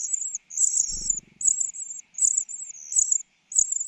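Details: A foster mother bird feeds a common cuckoo chick, whose gaping mouth is the largest and reddest. Piercing high trills come in bursts roughly every half second to second, with a soft low thump early on.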